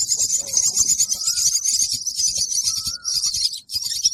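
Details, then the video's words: Young bird calling for food: continuous high, buzzy chirping with brief dips, a faint whistle in the background. "Baby bird chirping for Feed"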